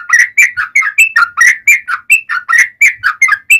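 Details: Steady stream of rich, bubbly chirps, each slurring down and up, about four a second: a yellow-vented bulbul's long, rapid 'ropel panjang' song given in fighting mood.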